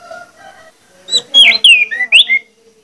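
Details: Orange-headed thrush lure song, clear and persistent, meant to make other orange-headed thrushes sing: faint low tonal notes first, then a short burst of bright slurred whistles rising and falling.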